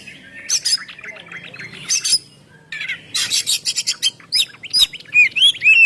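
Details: Oriental magpie-robin song used as a lure, in the ngeplong style: harsh rasping bursts and scattered chirps give way to clear, sweeping whistled phrases that rise and fall toward the end.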